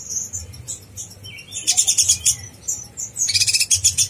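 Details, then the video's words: Sunbird singing in top form as provocative master material for other konin: thin high chips, a short level whistle, then rapid pulsed, very high rattling trills in quick bursts. "konin blorok gacor bikin konin bahan emosi"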